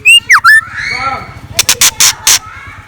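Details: Scarlet minivet, a decoy bird, singing in the morning: a quick run of loud, clear whistles sweeping down and up, followed by a burst of sharp, dry clicks and knocks.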